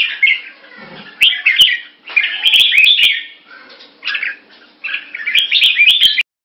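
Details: Short keke calls of a caged Red-whiskered Bulbul in Singapore, probing an opponent while slashing its tail. Choppy chattering bursts are separated by quieter gaps, with scattered clicks and a brief low murmur early on.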